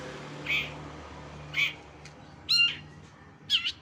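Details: Long-tailed shrike (cendet) mimicry used to tutor contest birds: sparse, nasal squawks roughly once a second, the last ones sharper and double, over a low steady hum.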